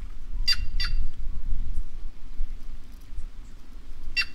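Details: Harsh doubled call from a White-naped jay (Cyanocorax cyanopogon), Brazilian caatinga, followed later by a single raspy note, all over loud low rumbling background noise.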